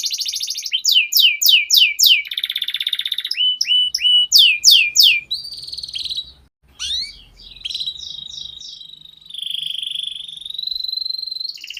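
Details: Canary master song for training young canaries: fast descending whistled notes, a buzzy rolling trill, more slurred notes over a faint low rumble, a brief break, then long sustained whistled trills.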